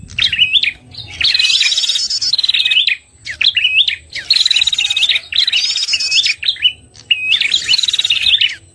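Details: Prinia lure recording for trapping, red-headed kind: bursts of sharp, upward-flicking chirps and dense rattling trills come in bouts of about one and a half seconds, separated by short gaps.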